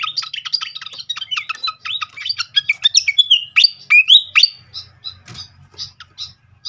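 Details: Srikatan kipas (fantail flycatcher) lure song for prompting a bird to sing: rapid chattering twitters and upward-slurred whistles, then slower scattered high chips, with a soft low hum behind.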